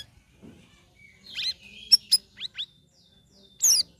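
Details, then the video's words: Sooty-headed bulbul kept caged and trained for three weeks with other birds, giving ringing, chattering notes. A buzzy phrase is followed by sharp clicks and two quick upslurred whistles, then a loud harsh burst. "CUCAK RAWIS NGERIWIK NGEPLONG"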